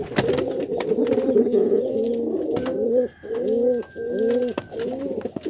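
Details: Brown male pigeon calling its female with energetic cooing: rounded, throaty, rising-then-falling coos in a long continuous run, then in short bursts separated by brief pauses, with a faint whistle-like tone and occasional clicks behind.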